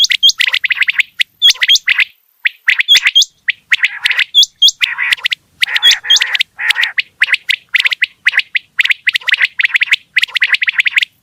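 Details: Quail calling continuously with rapid, crackling chatter. Paired high hooked whistles recur every few seconds through the first half.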